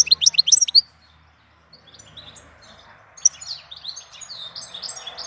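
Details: Goldfinch singing in April: a quick burst of sharp, high twittering notes at the start, then softer, fainter twitters against background noise.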